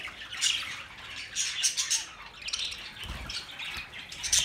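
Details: Pet budgerigars chirping for lonely birds: continuous high chattering warble with squeaky notes in bursts, one low thump near the end, several birds calling together.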